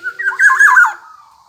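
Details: Loud, harsh, scratchy burst from a black-naped oriole (kepodang emas), wavering for under a second and trailing into a fading whistle.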